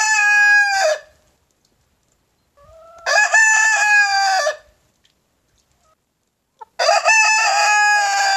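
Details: White Leghorn rooster crowing on a spring morning to impress hens: three loud, harmonic-rich crows, each about one to one and a half seconds, starting low and holding a strained, level tone before cutting off, with quiet gaps between.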